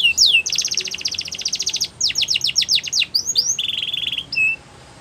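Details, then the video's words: Canary training song: quick whistle, a long rapid buzzy trill, a run of descending sweeps, then a steady flat whistled note before fading out. "Best Canary Sounds !! Suitable For Canary Training"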